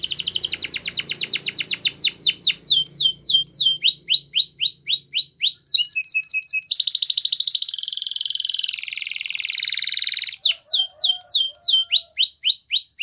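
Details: Spanish Timbrado canary sings for training, repeating quick falling notes in steady rapid series, then a dense high metallic roll near the middle, returning to fast repeated downslurred notes.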